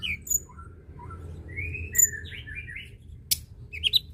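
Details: Song of a white-browed shortwing, used to stir other birds to sing: sparse, thin whistles and short warbled phrases at varying pitches, with a few sharp clicks and soft low rumble behind.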